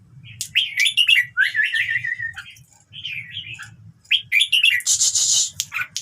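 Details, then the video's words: Red-whiskered bulbul song played to stir other birds into singing: bubbly, warbling phrases rise and fall in quick bursts with short pauses, over a low steady hum, ending in a burst of harsh high hiss. "เสียงนกกรงหัวจุก #เปิดแล้วคึก นกร้องตาม"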